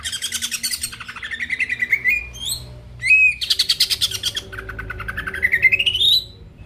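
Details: Greater green leafbird song used to spur rival birds into singing: rapid rattling buzzy trills sweeping upward into sharp whistled notes, a short pause, then more harsh chattering trills rising to a bright whistle; faint low hum behind.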